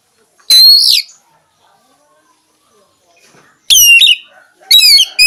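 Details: Oriental magpie-robin, kacer, a champion songbird, producing a loud slurred whistle, then silence, then two more bursts of sharp ringing notes.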